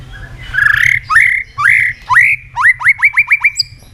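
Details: White-rumped shama song used as a lure to make other shamas sing: a slurred whistle, then rising whistled notes, then a fast run of seven short upswept whistles, each repeated about every quarter second.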